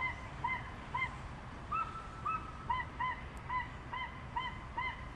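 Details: Crested guan (Penelope purpurascens) giving repeated nasal honks, some drawn out and rising, in irregular bursts over a rumbling, noisy background.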